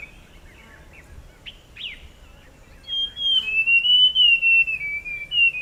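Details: A forest scrub robin (Cercotrichas leucosticta), a secretive resident of evergreen lowland forest, gives a few short, slurred high notes, then a long, clear, wavering whistle that falls and rises over faint hiss; recorded 20 August.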